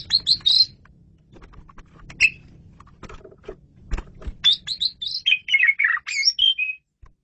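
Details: Lively masteran song of an Asian pied starling: a quick run of bright whistled notes, scattered clicks, then a long rapid string of varied high whistles and chattering notes that drop, rise and end abruptly, with low background rumble.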